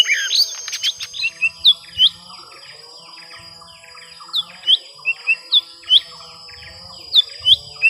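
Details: Young lesser green leafbird in a prolonged fight with a rival, giving high rising-then-falling whistled notes in clusters, each paired with a buzzy chip, repeated in bouts with short pauses.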